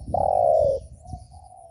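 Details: Spotted dove call for provoking other doves: a single long, loud, slightly falling coo, followed by a faint, level coo from another dove in the background.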